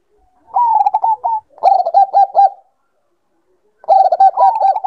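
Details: Bangkok-type zebra dove, calling to bring on breeding condition: a rippling coo, then a burst of repeated clipped notes, a long silence, and a final fluttering phrase that rises at the end.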